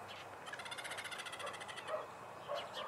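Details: Chimango caracara scream, from a recording on how male and female differ in their screams: a rapid, harsh series of about fifteen evenly spaced pulsed notes over one and a half seconds, then a few softer scattered notes over steady background hiss.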